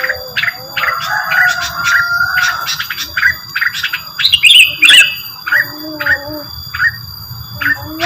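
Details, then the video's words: Rengganis lure song with lively chirps, a drawn-out thin whistle, and loud twittering buzzy bursts midway, then sparser chirps and low whistled notes; faint hum behind. "mantul suara pancingan burung rengganis"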